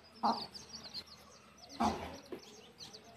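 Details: Mother hen taking her chicks back to the nest to roost; two short low clucks stand out against a steady stream of thin, high chick peeps.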